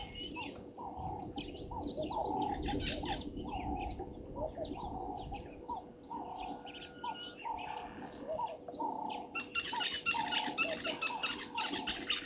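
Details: European bee-eaters at Gowrie dam waterhole, Djuma Game Reserve, Sabi Sand, South Africa, at 17:00 on 15 January 2023, give short rolling chirruping calls overlapping in busy flock chatter, over a steady low electrical hum and rumbling.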